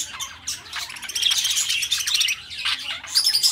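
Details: Caged pet budgies pour out a rapid, raspy chatter of high squeaks and clicks, dipping briefly near the start and again toward the end before resuming loudly.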